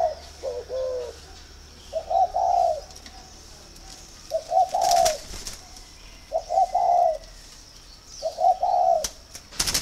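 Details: Spotted dove at a bird garden in Ba Vi, Hanoi, Vietnam, cooing as a sign of readiness to pair; low hollow three-part coos repeat about every two seconds, five phrases, with a few sharp clicks between.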